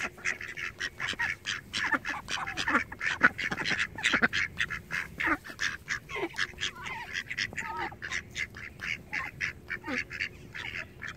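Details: Flock of domestic ducks producing a continuous chorus of short, rasping quacks, many birds overlapping in quick succession, with occasional lower dipping notes standing out.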